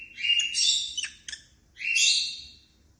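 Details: Happy African lovebirds flying freely, two drawn-out shrill squealing calls, the first wavering and broken by short clicks, the second a loud rising-falling screech.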